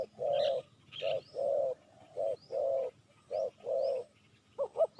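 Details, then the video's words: Spotted dove calling on a recording played to lure wild doves: a steady series of low, hollow coos, some drawn out and some clipped, over rural background hum, with thin high chirps from other birds. "Chim cu gáy chiêu kích mồi tập bổi nhanh nổi hiệu quả"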